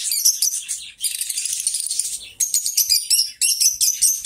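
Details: Two companion lovebirds singing and talking: continuous shrill, metallic twittering with a buzzy rasping stretch, then clipped rapid chirp series separated by brief breaks.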